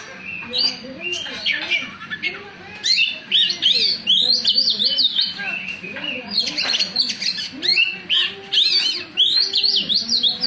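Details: Oriental magpie-robin singing a dense, varied run of bright whistles, chirps and sharp downward sweeps, phrases following each other almost without pause, with a faint low hum beneath.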